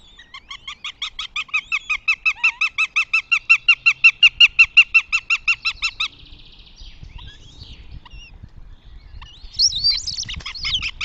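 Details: Northern goshawk at its nest in Tartu, Estonia, on 2 June 2025: a rapid, even run of about 25 harsh repeated notes, nearly three per second, followed by quieter squeals and rustling.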